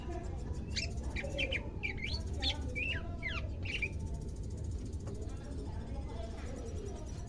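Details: Greater green leafbird in captivity on its second day of care, starting to sound off: varied clear whistled phrases with rising and falling slurs and loops, given in a burst, over a droning low background.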